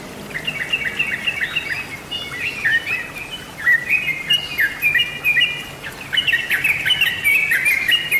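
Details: Sooty-headed bulbul song used as a lure recording: dense, bubbly run of short whistled notes, rising and falling, chattering almost continuously in quick overlapping phrases, with a faint steady background hum.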